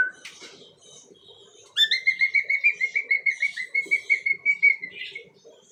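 A young cockatiel gives a steady, clear whistle near two kilohertz, pulsing rapidly in quick beats.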